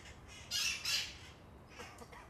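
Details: Feral parrots from an established wild colony, descended from released pets, calling noisily near Coit Tower on Telegraph Hill, San Francisco: two loud, harsh, raspy squawks in quick succession, followed by fainter, more distant squawks from other birds.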